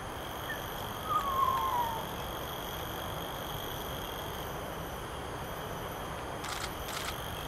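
Common hill myna giving one clear whistled note that slides downward over about a second, followed by steady background hiss and a couple of faint clicks.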